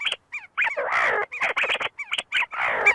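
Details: Flock of see-see partridges feeding and fighting inside the University of Sulaimani, Kurdistan, giving a jumble of harsh, scratchy squabbling calls mixed with short slurred whistles in quick, irregular bursts.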